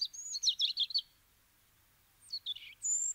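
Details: Eurasian treecreeper giving very high, thin, sibilant notes in a quick tumbling run of about eight short notes. After a pause, a descending pair follows, then a sustained high thin note at the end. The background is quiet.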